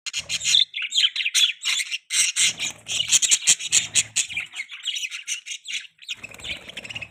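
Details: Loud, continuous chatter of high, rasping chirps from a baby budgerigar perched on its owner's hand, the notes tumbling out quickly with barely any gaps.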